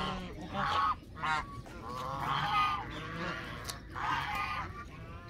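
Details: Canada geese calling with loud, harsh honks in uneven bursts, several drawn-out nasal notes spaced a second or two apart over a faint background.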